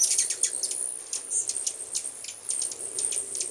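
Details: Hummingbirds out in force at a home in 2010 deliver quick, thin, very high ticks and squeaks in irregular clusters, with a steady shrill tone underneath.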